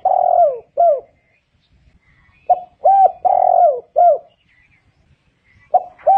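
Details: A spotted dove (Spilopelia chinensis) gives soft, mellow cooing phrases of two to four notes, some drawn out and falling, with short pauses between phrases and a quiet background.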